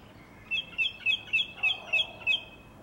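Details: One song thrush in a garden in April 2021 repeats one crisp, clipped two-part note seven times in quick succession, roughly every quarter second, each note rising to a sharp tip, with faint low background noise.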